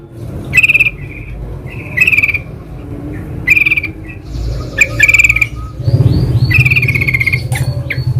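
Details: Yellow-vented bulbul (trucukan) singing in the wild, used as a lure for other trucukan: short bubbly, slurred phrases every second or two, with sharp clicking bursts and low background rumble between phrases.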